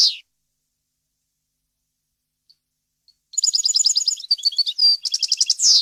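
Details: European goldfinch, varied and error-free song for chick tutoring: mostly silent at first, then a fast twittering phrase of high, ringing notes and buzzes ending in a downward slur.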